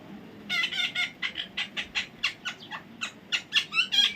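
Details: Baby parrot squawking steadily: a rapid series of harsh, grating calls repeated about three times a second for several seconds, getting slightly louder toward the end over a low background murmur.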